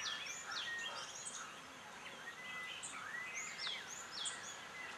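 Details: Blossom-headed parakeets in Sattari, Goa give quick, high squeaky notes that rise and fall, about two a second and irregularly spaced, overlapping as several birds call against faint environmental hiss.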